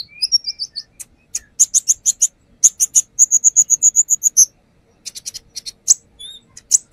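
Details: A brown-throated sunbird sings a lure song, unloading its repertoire of copied phrases: quick high chips, then a steady run of about a dozen even, high ticking notes, followed by scattered sharp chirps.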